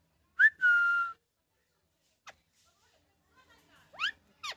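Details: Happy rescued rose-ringed parakeet kept as a pet gives a brief rising note and a long level whistle. A quiet click follows, then two sharp upward-sweeping squawks close together.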